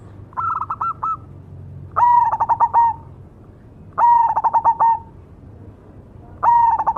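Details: Singing cemani zebra dove: four cooing phrases about two seconds apart, the first slightly higher in pitch. Each is a mellow whistle breaking into rapid throbbing notes before trailing off.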